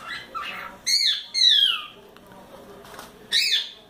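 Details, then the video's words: A four-month-old cockatiel kept as a pet, playing on its playground, utters loud descending screechy calls, with a softer chatter before them and a final sharp call. "CALOPSITA assobiando muito"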